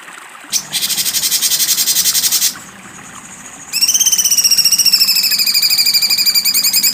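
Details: Cucak cungkok in sharp besetan style, delivering a harsh, dense rattle for about two seconds, a short pause, then a long, rapidly pulsed buzzy trill with a slightly wavering pitch.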